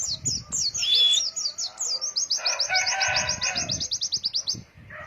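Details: White-eye song in the long-breath 'ngalas wit wit' style, played to train young birds: a long run of fast high downslurred notes, a brief pure whistle, and a buzzy chattering mid-pitched section underneath.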